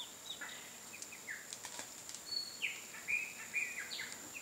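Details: Free-living Chestnut-eared Aracari (Pteroglossus castanotis) calling in nature: short, sharp downslurred notes repeated irregularly, roughly twice a second, with a steady high insect whine behind and a few brief wingbeat-like clicks.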